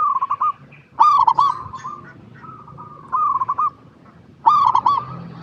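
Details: Singing local zebra dove, used to coax other zebra doves into song: three clear phrases of rapid bubbling, trilled coos, about two seconds apart, separated by quieter level cooing.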